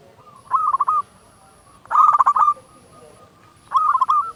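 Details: Loud local zebra dove singing as a lure to prompt silent doves to sing: three short phrases of quick, bubbling coo notes at a steady mid pitch, evenly spaced about every one and a half seconds, with a faint high steady whine.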